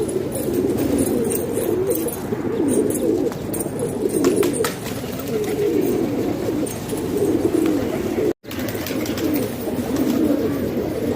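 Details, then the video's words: A group of house pigeons in Pakistan keeps up a steady low cooing chorus with rolling swells, a few sharp clicks and rustles, and a brief drop-out near the end. "Pigeon Sound"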